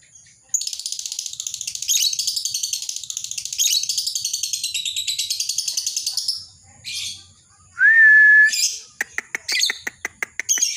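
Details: Lovebird in continuous ngekek chatter used as training and lure sound for other lovebirds: long run of rapid, buzzy chattering notes for about six seconds, then a short whistled upslur and a series of sharp clicking ticks.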